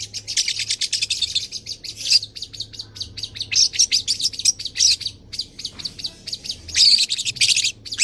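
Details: Long-tailed shrike, tame and caged, pouring out dense, scratchy, high chattering song with mimicked phrases and scattered sharp whistles, used to prompt other birds to sing; steady background hum.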